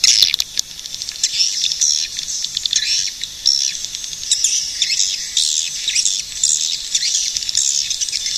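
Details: Swiftlet calls: dense, continuous high twittering and chirps, with no gaps, over a steady hiss.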